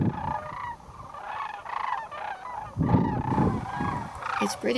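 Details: Thousands of wintering Sandhill Cranes returning in the afternoon to roost at Whitewater Draw, southeast Arizona, give overlapping rolling, trumpeting calls, many bugling at once over a low rumble; they can be spooked by eagles.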